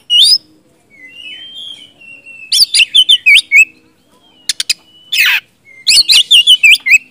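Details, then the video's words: Agitated white-rumped shama, goaded into answering, gives short loud whistled phrases with rising and falling slurs, a long thin whistle, clicks and a raspy burst between bouts. "kacer gacor ngeplong,kacer macet bahan langsung nyaut emosi dipancing kacer satu ini"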